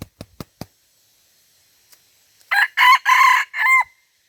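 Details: Red junglefowl from Aceh, Indonesia, recorded 5 January 2020: a harsh broken crow of four loud segments ending in a drawn-out note, preceded by several sharp knocks.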